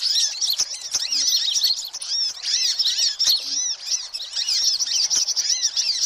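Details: Busy sunbird calls meant to attract all sunbird kinds: rapid high-pitched chirping and arching twitter notes, overlapping and constant, with slight dips in loudness.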